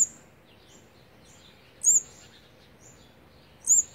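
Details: Olive-backed sunbird at a nest with its fourth brood of nestlings, on the 18th day of feeding, 8 March 2020; two sharp, very high up-slurred notes about two seconds apart, with faint thin chips between them.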